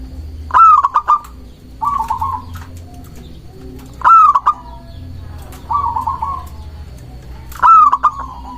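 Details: Local zebra dove, song played to lure doves and provoke rivals: loud bursts of sharp stuttered notes alternating with softer purring trilled coos, five phrases in under nine seconds, low hum and rumble behind.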